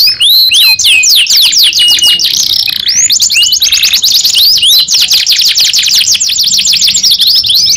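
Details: {'text': 'Singing canary: quick downward chirp series, a brief buzzy rolling trill in the middle, then a long, very fast rattling run of high notes; close and loud.'}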